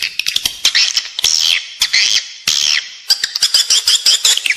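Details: Calling sound for edible-nest swiftlets, used inside a building to attract them: arched, descending harmonic squeals alternating with sharp clicks and quick chirps.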